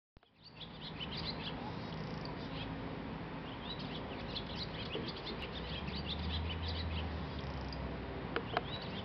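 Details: Barn swallows perched on a line at South Lake Tahoe on 20 July 2019, twittering in a fast run of bright chirps and scratchy buzzes, over a steady low rumble of background noise.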